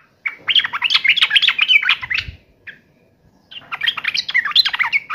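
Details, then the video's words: Sooty-headed bulbul singing in raging fighting mode: two dense bursts of rapid, jumbled, chattering notes, separated by a quiet gap with a faint low thump. "trucukan gacor FULL TARUNG NGAMUK"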